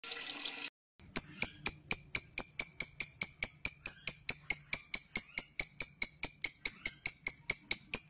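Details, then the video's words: Lovebird in 'ngetik' ticking mode, used to prompt a long 'ngekek' trill: sharp, high, dry ticks repeated evenly about four times a second after a short burst of softer chatter at the start. "Love Bird Ngetik Cara Cepat Memanggil Love Bird Agar Ngekek Panjang"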